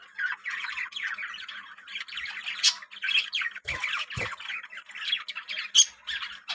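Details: Flock of yellow budgerigars in a breeding colony chattering in scratchy, high, overlapping calls, with a couple of sharp louder squawks and two low thuds.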